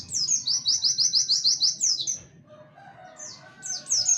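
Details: Warbling white-eye singing in the "tembakan wit wit kenari" style, used as a training recording for songbirds: a fast burst of about a dozen high, sharp chirps repeated several times a second, then a pause and a few more high notes.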